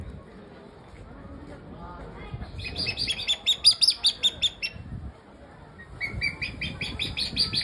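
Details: A crowned hornbill gives two bursts of rapid, harsh, high cackling notes, about two to three per second, with a low rumble of background noise underneath.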